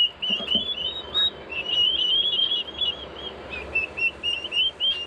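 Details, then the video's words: Young Royal Palm turkeys, not yet fully feathered and kept in a small brooder coop, give a loud, steady chorus of high, thin whistled peeps. Several birds overlap in quick, slightly rising notes, with faint room noise beneath. "So as you can hear, turkeys are very loud."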